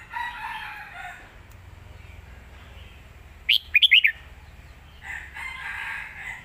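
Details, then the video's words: Red-whiskered bulbul performing a Lak Wai master song: a short burst of four fast whistled notes in mid-clip, framed by softer hissing background sounds and faint distant chatter. "นกเสียงทอง!!เพลงลากหวาย สุดยอดเพลงแม่บท"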